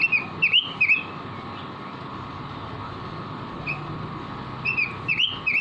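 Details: Robin kept in a cage, singing vigorously for use as a tutor recording: short clusters of bright, slurred whistles separated by quiet gaps, a lone note midway, then a fresh cluster. A constant low hum runs underneath.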